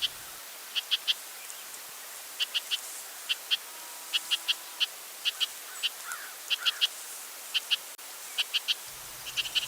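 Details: Northern house wren call, a lower-pitched churring: harsh, buzzy notes in quick pairs and triplets, repeated every half second or so over faint background hiss, with a crow audible in the recording.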